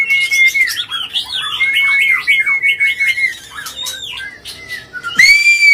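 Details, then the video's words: Emotional, non-stop white-rumped shama song used to provoke other birds: repeated long ringing whistles woven with fast rolling, twisting phrases, ending on a loud clear whistle. "Pancingan Murai Batu Emosi, Gacor Nonstop 24 Jam❗❗ AUTO Buka Paruh Langsung Ngamuk"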